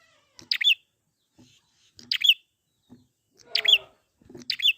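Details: Wild prinia calling, used to coax birds into song: four loud, high, twittering chirps, each a quick rising-falling flick, about one per second, with a faint low buzzy note in one burst.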